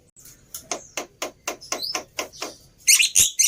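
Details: Lure song of a black-winged myna, meant to make a quiet bird reply: evenly spaced dry clicks and ticks about four per second, ending in loud, rasping, hissy bursts.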